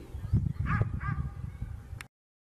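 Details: A lone Black-necked swan that turned up in a residential neighbourhood of Mercedes, Buenos Aires, gives two short, soft, musical whistled notes in quick succession over a steady low rumble of wind or handling noise.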